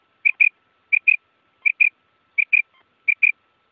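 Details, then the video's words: Wild quail as used in net hunting, giving soft paired whistled notes, each pair repeated at roughly two-thirds of a second apart, clean and evenly spaced. "BATER Ki Awaz|Batair ki awaz 2024|Quail sound 2024|Quail shikar ki awaz"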